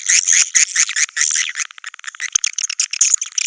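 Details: High, harsh swiftlet twitters with thin squeaky notes, breaking up midway into quick clicks and brief chattering bursts.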